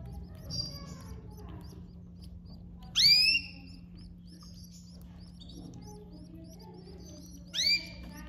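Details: Domestic canary with her chicks at feeding time gives two sharp, bright, descending calls about four and a half seconds apart, separated by faint thin twitters over a steady low hum.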